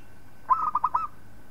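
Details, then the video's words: Zebra dove of a local strain giving a short tutor song for training other birds: a brisk burst of five rolling, trilled coos, evenly spaced and ending on a slightly longer note. "Suara Perkutut Lokal Palng Zos Untuk Masteran"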